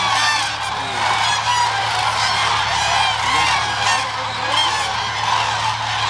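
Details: Huge flock of about 30,000 migratory common cranes feeding on scattered corn and peanuts at Hula lake (Agamon Hula), Upper Galilee, Israel, on 31 December 2011 in winter, giving overlapping loud rolling trumpeting calls in constant clamour over a steady low hum.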